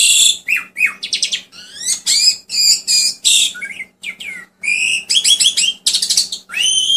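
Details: Asian pied starling song to encourage quiet cage birds: a continuous string of harsh chattering notes, rising and falling slurred whistles and rapid stuttered phrases, loud and varied, over a faint hum.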